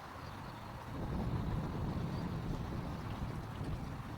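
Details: Low rumbling wind and boat-like engine noise fill the recording, with no animal calls heard. The sound is a steady low roar that swells after the first second and stays broad and even throughout.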